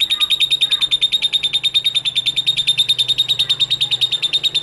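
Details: Lovebird singing ngekek-style, meant to set other lovebirds singing: a very even, rapid, high-pitched buzzing trill of sharp pulses, unbroken for nearly five seconds.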